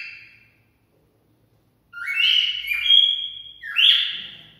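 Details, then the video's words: Cockatiel singing for mating stimulation: a brief soft whistle, a silence, then a strong run of upward-sliding, held whistled notes stepping between pitches. "Cocktail stimulating sounds for mating"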